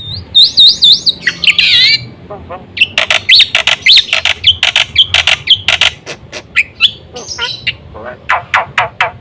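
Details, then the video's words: Black-winged myna song played to draw other mynas into singing, varied and uneven: wavering whistles, a buzzy warbled phrase, then a jumble of sharp clicks, chatters and short squeaky notes. "suara burung jalak putih full isi sekali pancing semua jalak kaget gacor"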